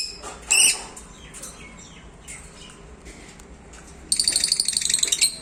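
Lovebird giving a sharp, shrill chirp, then a fast run of harsh, high chattering notes at the end; a few fainter chirps between.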